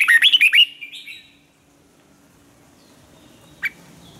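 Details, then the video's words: Red-whiskered bulbul in song training: a quick run of five or six sharp, bouncing chirps followed by a brief whistled tail, then near silence with one lone sharp note. "chào mào luyện giọng hót hay"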